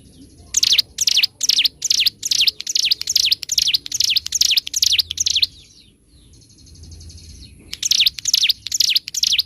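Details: Bar-winged prinia (ciblek gunung) singing on a bird-training master recording, a loud, clear, long-running 'gacor' song with 'ngebren' rattling: rapid sharp chirps repeated about twice a second in a long bout, a short pause, then the series resumes.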